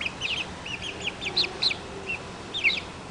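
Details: Young Barred Plymouth Rock chicks, one month old, making clear high cheeps. Single notes and short doubled notes come roughly once a second over a faint low hum.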